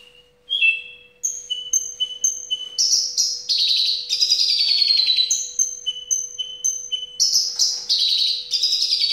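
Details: Javan bush lark in song, a fast run of high whistled and trilled phrases, with bright repeated short notes alternating with buzzy descending rattles, loud and continuous; a steady faint low hum runs underneath.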